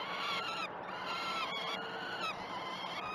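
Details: Peregrine falcon young being fed at the Great Spirit Bluff eyrie on 12 June 2018, captured by a live cam: drawn-out, wavering harmonic screams, several in a row, some with sharp breaks, over background hiss.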